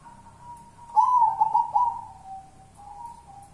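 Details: Local wild zebra dove heard in its kuntilanak song: a soft steady tone swelling into a louder quavering coo phrase, then fading back to a low, level hum-like note.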